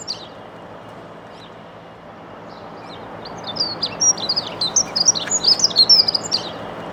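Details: A territory-holding male dunnock sings in an urban allotment while defending his territory and female; after a quiet start, a fast, high, jangling warble of thin twittering notes fills the last three seconds over steady low background hum.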